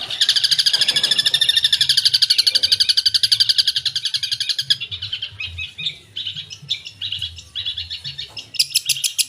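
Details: Long-tailed shrike song full of mimicry. It opens with a long rapid rattle of high repeated notes, about four per second, then softer varied chirps and a short burst at the end.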